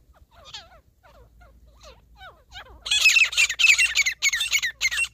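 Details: Grey partridge, locally called teetar, recorded in a partridge hunting setting: faint, thin whistled notes at first, then from about three seconds a loud run of harsh, squawky, rapidly repeated calls with short gaps.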